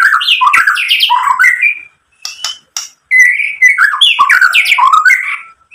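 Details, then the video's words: White-rumped shama song played to provoke other shamas into singing: two bursts of fast, rich, varied whistles and chattering notes separated by a quiet gap with soft ticks. "SUARA MURAI BATU memancing EMOSI jadi BUNYI NYAUT GACOR BONGKAR ISIAN | PANCINGAN MURAI"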